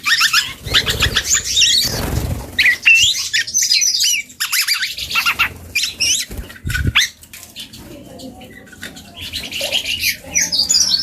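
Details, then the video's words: Young dark-throated oriole learning to sing: rapid, squeaky high chattering and twittering phrases, broken by louder rustling or flapping bursts and pauses of quieter chatter. "KEPODANG HUTANG muda||belajar ngoceh"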